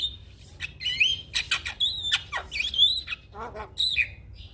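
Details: Prize-winning black-winged starling song: clear whistled notes that rise and bend, alternating with harsh rasping squawks, spaced by short pauses over a faint low hum.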